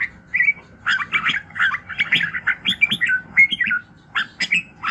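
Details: Morning song of a red-whiskered bulbul, played for voice training to stir birds up: lively bursts of liquid, warbling notes in quick succession with brief pauses, plus a faint steady hum.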